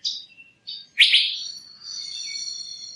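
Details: A few brief high notes lead into one loud, sweeping chirp from the Asian fairy-bluebird. A thin, sustained buzzy whine trails away afterwards.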